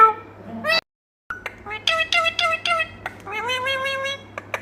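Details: Talking Indian ringneck kept as a pet: rapid chatter of short harmonic, speech-like syllables, some rising and falling, with one brief silent gap and a steady low hum behind.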